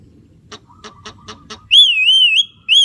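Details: Javan myna song: a few soft ticking notes, then a clear, loud wavering whistle that rises and falls for almost a second, followed by a short fresh whistle at the end.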